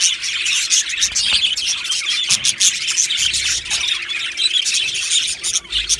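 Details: Aviary budgie colony, Australian budgerigars, 15 July 2025: many birds chirping together in a steady high-pitched chatter of rapid tweets and squeaky notes, with sharper accents scattered throughout.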